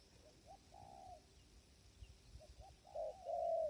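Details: Spotted dove at a trapping blind in strong wind; a few soft short coos, then a louder, longer drawn-out coo near the end, over faint wind rumble.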